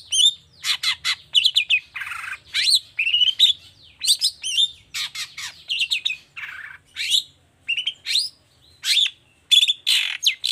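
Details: Vigorous long-tailed shrike song of the toet toet type, aimed at prompting reluctant shrikes: continuous varied bursts of harsh rasps, squeaky whistles and chattering notes with hardly a break.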